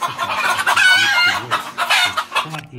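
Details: Chicken clucking: a steady run of short, throaty, harmonic clucks that rise and fall in pitch, with a few louder, drawn-out squawks mixed in.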